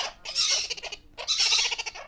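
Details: Several young, healthy captive-bred monk parakeets, a slow-breeding species known as good talkers, give two harsh, raspy bursts of rapid chattering squawks, each under a second; no other sounds. Monk parakeet.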